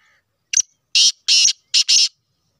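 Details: Black francolin of the Sheedi cross type gives a loud, harsh, grating phrase of five rasping notes: one short clipped note, then two longer buzzy notes and a quick final pair, with clean silence around them.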